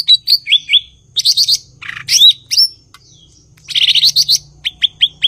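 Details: Cucak ijo (Chloropsis cochinchinensis) delivers varied song: slurred whistles, dense scratchy chatters, a sweeping rising whistle, and a closing series of quick sharp upward notes, over faint low hum.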